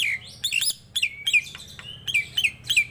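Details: Nias hill myna, a tame bird in full song, giving loud ringing downslurred whistles mixed with harsh, buzzy bursts in quick succession over a faint electrical hum.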